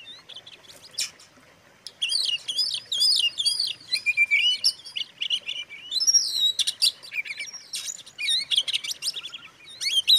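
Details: Provocative song of an Oriental magpie-robin aimed at stirring up other magpie-robins: a short sharp note and a quiet gap, then about eight seconds of energetic, high twittering, whistled slurs and clipped chatters.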